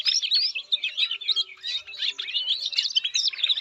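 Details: Canary delivering a fast, lively run of high chirps, swooping slurs and scratchy trills in quick bursts several times a second, without pause.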